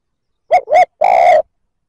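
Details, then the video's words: One spotted dove phrase meant to provoke males: two short rounded hoots then a steady, longer coo, all low and mellow. "Tiếng chim cu gáy kích bổi chuẩn"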